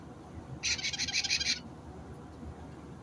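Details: White-bellied caique parrot, 29 March 2022, gives a short, grating, high-pitched screech lasting about a second, made of quick stuttering pulses, against a faint low rumble.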